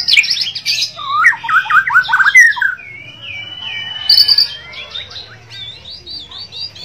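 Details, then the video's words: Bornean white-rumped shama in full gacor singing. It opens with a fast run of tumbling, warbled notes, then gives long sustained whistles and softer wavering phrases over a faint low hum. "murai borneo gacor dor White-rumped Shama 白腰鹊鸲 Kucica Hutan"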